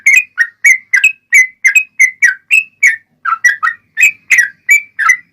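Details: Rapid-fire song of a yellow-vented bulbul, used to provoke other bulbuls into singing. It is a steady string of liquid, gurgling whistled notes, some rising and some falling, about three a second, with one brief pause.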